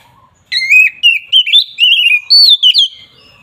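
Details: Oriental magpie-robin in agitated, fighting-style song meant to provoke rival birds: loud whistled phrases with rising and falling slurred notes, delivered in quick bursts over about three seconds, with a soft lower note just before.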